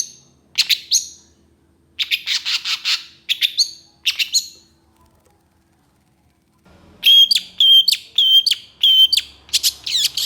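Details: Long-tailed shrike in energetic song full of harsh bursts: clusters of scratchy chirps separated by silences, then a long steady run of sharp repeated whistled notes near the end.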